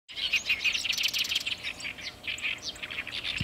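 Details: Chestnut-eared bunting singing in summer at a Ramsar-listed wetland marsh and its surrounding rice fields, where it breeds; dense run of short chirps and buzzy notes, quick and unbroken across the whole stretch.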